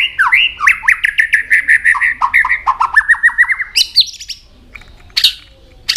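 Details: Varied song of a White-rumped shama flicking its tail, a rapid string of clear slurred whistled phrases on steady pitches, ending with a few sharp higher notes after a pause.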